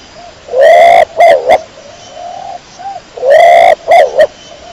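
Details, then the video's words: A pigeon gives two loud cooing phrases, each a rich swelling note followed by two brief pulses, with softer murmured coos in between. "THE SOUND OF THE PIGEON CLEAR SOUND"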